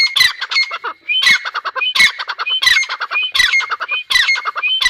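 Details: Loud grey francolin calls: grating, rhythmic phrases that start with a sharp accented note and run into quicker squawks, each phrase about three-quarters of a second long, repeated steadily.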